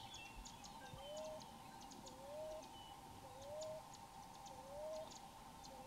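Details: Gentle coo song of a wild Common Ground Dove perched in a Florida tree, made by expanding its chest: short rising coos repeated roughly every 1.2 seconds, with faint high ticking and constant background hum.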